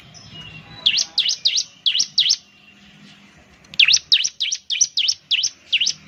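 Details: Ciblek bird used as a lure, singing in two bursts of sharp, high V-shaped chirps, five in the first run and about nine in the second, repeated quickly with faint low background rumble.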